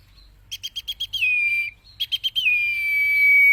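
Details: Common iora song for training cage birds, two phrases: each opens with about six quick clipped notes, then drops into a sustained level whistle; the first whistle fades out, the second continues to the end.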